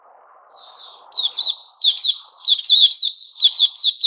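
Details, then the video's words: White-crowned shama, kept as a cage bird during its new-feathers season, opens with a soft drawn whistle, then bursts into loud quick whistled phrases with sharp upslurs, repeated in clusters, over a faint low murmur. "Puteh Raja"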